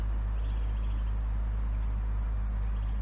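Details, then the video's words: Temminck's sunbird in Sabah, Malaysia, June 2023, giving thin, very high, slightly falling notes, about three a second in a steady series, over a low background hum. "Temmincks sunbird call sound"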